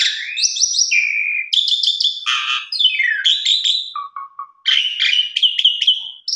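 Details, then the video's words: Asian pied starling in rich, varied song meant to stimulate other birds. Buzzy rasps, descending slurs and a run of short low whistled notes follow in quick succession. "Pancingan Jalak Suren Gacor Isian Mewah"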